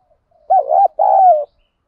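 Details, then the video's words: ['Spotted dove urging coo in the field-voice style, used to excite birds in training: one two-part phrase, a quavering first note and a drawn-out, gently sinking second coo, in quiet surroundings.'] "chim cu gáy thúc gù & gáy gọi, cu gáy giọng đồng, gù thúc, tiếng đồng gáy gọi"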